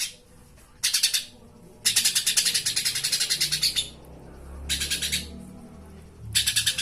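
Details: Live konin, a flowerpecker, recorded as master song for training caged birds: short bursts of very high, dry chattering ticks, one longer run near two seconds, broken by quiet gaps with low background rumble.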